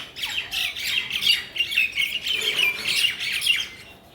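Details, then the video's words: Mynas chatter in a Bangladeshi village, mixing scratchy squawks with clear whistled slurs that repeat in quick, uneven bursts. "শালিকের কিচিরমিচির শব্দ"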